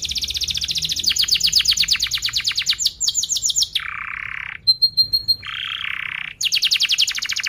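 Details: Canary singing as a lure for young birds, with long rapid rolling trills, faster chattering phrases, low buzzy rattles and short sharp whistled pips between them.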